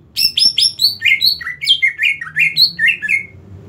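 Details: A greater green leafbird said to be ready for singing competition sings a fast, unbroken run of sharp whistled and chattering notes, about four per second, jumping between high and mid pitches, over a faint low hum.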